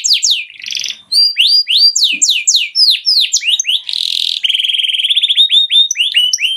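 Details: Agitated singing canary used to stimulate other birds: quick descending sweeps, a short rattling buzz, varied whistled notes, a harsh burst, then a fast even trill and more sweeping phrases.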